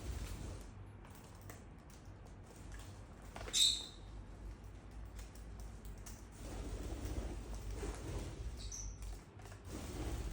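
A lovebird gives one sharp, high chirp near the middle, with a fainter squeak later, over a steady low room hum.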